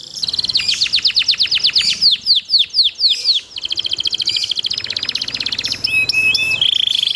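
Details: A canary sings tutor song for training other canaries. It opens with a run of loud downward-swept 'cuit' notes, then buzzy fast trills, and closes with short flat whistles and a sustained tone.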